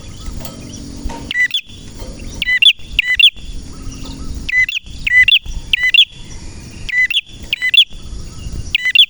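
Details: High, clipped chirp phrases from a busy male red prinia (prenjak merah), repeated roughly every second after a quiet start, each phrase a tight double or triple note with snapping clicks.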